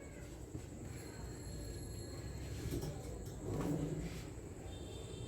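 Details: Low traffic rumble at a bird market, with faint distant voices and no clear animal call.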